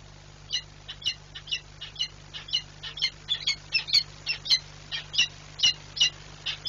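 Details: Peregrine falcon at a nest site in Płock, Poland, recorded 15 March 2022, screaming as it leaves the nest: a long series of harsh, rasping cries repeated about every half second, with steady low hum behind.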